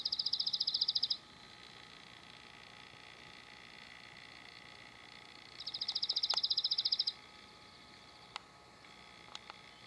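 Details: Dark-eyed Junco (Junco hyemalis) at Carpenter Mountain fire lookout, H.J. Andrews Forest, Willamette National Forest, Oregon, USA, gives two dry, rapid trills on one high pitch, each about a second, several seconds apart, with faint clicks between.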